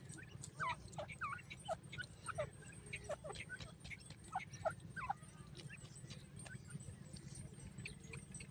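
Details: A baby grey francolin bathing in soft sand calls with brief falling peeps, clustered in the first five seconds and then sparse, mixed with crisp scratching clicks and a constant low hum.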